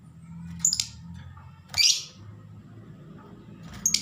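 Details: Lovebird learning to sing continuously, giving three brief, shrill, harsh chirps spaced one to two seconds apart over a steady low hum.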